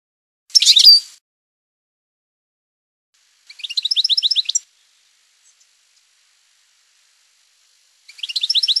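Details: European goldfinch, singing in the campero style, giving short bursts of rapid, twittering high notes separated by pauses of several seconds; a quiet, clean recording.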